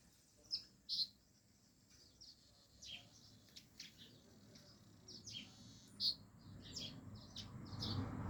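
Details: Yellow birds calling at home: short, high, sharp chirps scattered irregularly, a louder pair near the start and others later, over a faint steady hiss with low rumbling noise toward the end.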